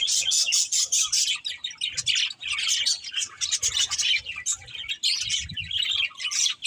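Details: Budgerigars chatter together in busy, high-pitched warbling chirps that run almost continuously, with a few brief drops in volume.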